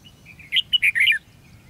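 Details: Red-whiskered bulbul singing in a fight-style trapping session on 13 February 2016: one brisk burst of three or four clear, warbled, whistled notes lasting under a second, against a quiet background.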